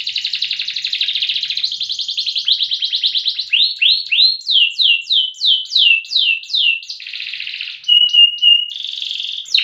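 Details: Caged competition canary singing in the long-running loper style, praised for duration and volume; loud high rolling trills give way to a run of rapid downward-sweeping whistles, then buzzy rattles and sustained pure notes, delivered without pause.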